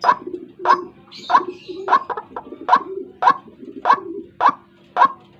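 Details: White-breasted waterhen calling in a recording used as a lure to trap birds in the morning: a series of coarse, punchy croaks about every half second, with a faint higher chirp early on.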